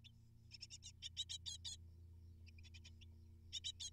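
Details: Nestling great tits, eight hungry young, begging during feeding: a quick run of piercing, scratchy chirps, a quieter pause with a few soft notes, then another burst.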